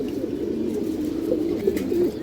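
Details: Loft pigeons of several breeds in Jatrabari give a constant low bubbling coo, with brief louder throaty notes near the end, and faint knocks in the background.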